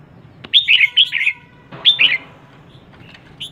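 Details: Calls of a female red-whiskered bulbul kept as a decoy to excite males: sharp clicky onset, then quick bright twittering phrases in two groups, trailing into quiet with a faint later note.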